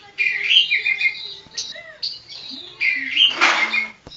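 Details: Oriental magpie-robin (kacer poci) from Java giving whistled, slurred phrases with a few rising notes, then a harsh noisy rasping burst before the song breaks off.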